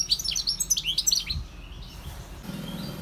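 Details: Wild European goldfinch singing: a rapid, tinkling twitter of high chirps and slurred notes for about a second and a half, then quieter fragments with a low background rumble.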